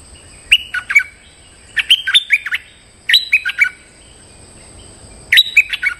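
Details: Lure calling of a stripe-throated bulbul aimed at a resident territorial bird: four bursts of rapid, liquid chattering notes, each a cluster of slurred whistles, separated by short pauses, with a constant thin high tone behind.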